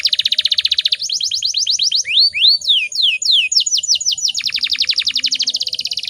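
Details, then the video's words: Female canary in breeding condition, calling to provoke males: a dense rattling trill, then clipped repeated notes and arching whistled slurs, returning to long rapid trills. "PANCINGAN KENARI BAHAN AGAR CEPAT BUNYI"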